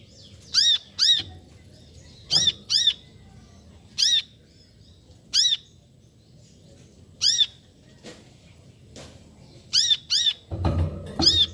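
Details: Sharp, high, arched chirps from a brown-throated sunbird, about eleven notes given singly or in quick pairs with pauses of one to two seconds, ending with a burst of low rustling noise.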